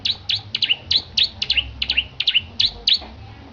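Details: Competition-prepared caged bar-winged prinia repeats shrill, swooping chirp pairs, each note dipping and rebounding, around eleven in three and a half seconds, steady and insistent over a faint background hum.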